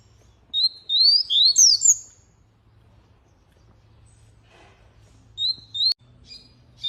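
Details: A canary delivers a quick cluster of sweeping whistled notes, falls silent, then adds a few short rising whistles, with a low steady hum behind.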